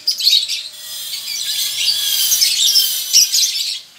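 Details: A male lovebird's ngekek trill, given in a colony as a sign of breeding condition: bursts of high scratchy chatter swelling and fading, loudest around the start, middle and end, with faint rubbing sounds beneath.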